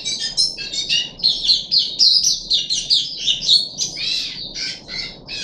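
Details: Caged puff-backed bulbul, third day of deworming treatment, 14 July 2021, pouring out fast twittering chirps and sweet slurred notes, about two per second, with a light hum in the background.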